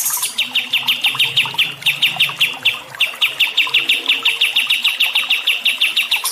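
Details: Bird chirping for training stressed songbirds: long runs of sharp, high, evenly spaced chirps, about six a second, with a short break near the middle and a low hum faintly beneath.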